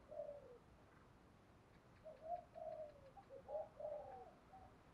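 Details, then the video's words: Spotted dove kept as a decoy, thổ pha đồng voice style, used for luring: a short coo, a pause, then a run of hollow coos of varied length, fairly quiet. "Chim Cu Mồi giọng thổ pha đồng"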